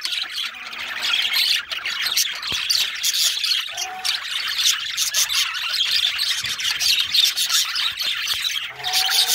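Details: Male budgerigar singing and chirping: a continuous, busy warble of scratchy chatter, squeaks and clicks, mostly high-pitched, with brief lower tonal notes near four seconds and near the end.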